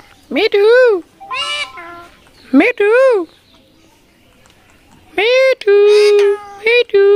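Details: Rose-ringed parakeet talking: harsh, cat-like meows arching up then down, repeated in pairs, with a longer level-pitched nasal note and quick clipped syllables near the end.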